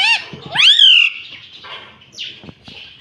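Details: Pet green ringneck parakeet said to speak "mummy". A brief arched call is followed by a longer, loud, harmonic, rising then gently falling drawn-out note, then soft raspy, hissing murmurs and clicks.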